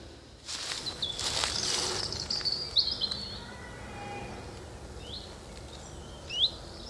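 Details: Common chiffchaff in Hainault Forest woodland, east London, in mid-April gives short, upslurred 'hweet' notes a second or two apart after a burst of rustling; possibly a contact call rather than song, against a quiet background.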